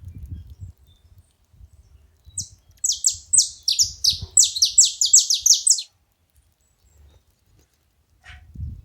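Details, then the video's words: Saffron finch at a feeding spot delivering a rapid, dense burst of high, sharp, descending chirps for about three seconds, then silence, with soft low thumps before and after. "Canário da terra fazendo barulho"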